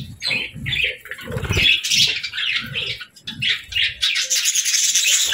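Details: Playful budgies in the evening giving short, repeated chirps and warbled notes several times a second, mixed with soft low thuds and rustling.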